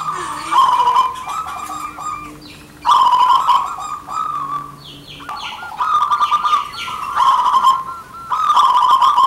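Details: Zebra doves, a local Indonesian strain of male and female birds calling back and forth, used as lure song: repeated bursts of rich, trilling coos about two seconds long, with a low steady hum underneath.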